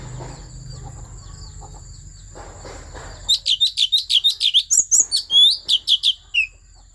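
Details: Asian fairy-bluebird in a Central Highlands forest, Vietnam, song meant to excite other birds. Faint background first, then a loud, rapid string of high chirping notes, roughly three per second, for about three seconds.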